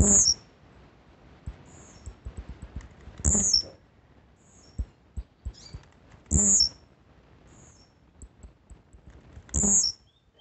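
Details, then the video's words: Blue-black grassquit singing steadily: four short, high-pitched buzzy notes, each ending in a quick lower flick, repeated about every three seconds, with soft clicks and taps between the notes. "TIZIU VISÃO CANTANDO MUITO"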